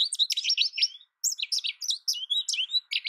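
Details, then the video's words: Nearly continuous high twittering by an American goldfinch, fast chips and swooping slurred notes strung together with only a short break. "American goldfinch Bird Sound, Bird Song, Bird Call Bird Calling Chirps"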